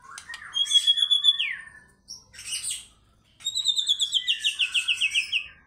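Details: White-rumped shama song meant as a lure to make fighter birds sing: a quick pulsed trill, then a brief buzzy burst, and a long series of rapidly repeated whistled notes descending gradually.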